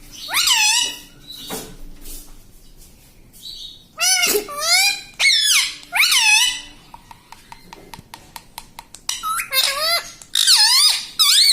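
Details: Pet talking parrot in a small room, mimicking words such as "mummy" and "mitthu": a run of short, squeaky, word-like syllables with bent, wavering pitch, separated by brief pauses, plus a few sharp clicks midway.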